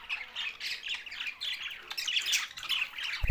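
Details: Budgerigars, the Australian parrot, Larkana, Sindh: continuous scratchy warble and sharp squawks from a group, with a low knock at the very end.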